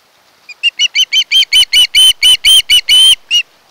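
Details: Osprey at a Kent Island, Maryland nest, on camera on 1 August 2018; a loud run of about fourteen ringing, whistled chirps starting softly, swelling and lengthening, with a few faint low thumps.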